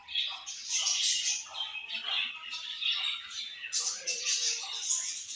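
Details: Budgies chattering constantly: dense, high, twittering and squawky warbles overlapping without pause.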